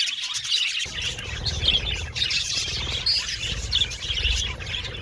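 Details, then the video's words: Colony of budgerigars, happy budgies in an aviary, chattering with dense overlapping high chirps and warbles throughout, over a steady low rumbling background noise. "Beautiful Budgies Chirping Sound | Happy Budgies Natural Sounds"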